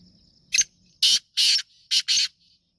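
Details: Black francolin giving a Sindhi nasal-type call: a short rasp followed by four loud, broad, grating notes grouped in pairs over roughly two seconds, sharp and raspy, with a faint low hum before it.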